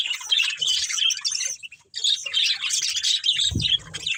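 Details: Budgerigars from a breeding pair give busy, twittering warbles and chirps, a brief pause near the middle, then a low thump or knock near the end.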